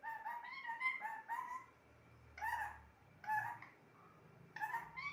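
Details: Talking pet parrot delivers a rapid chain of voice-like syllables, then after a pause several separate word-like utterances, nasal and harmonic in tone, with quiet room noise between.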